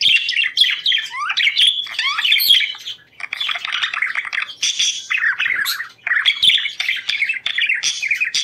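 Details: Budgerigars singing to promote breeding condition; chattering warble with rising whistled sweeps, squeaky chirps and scratchy squawks flowing almost without break.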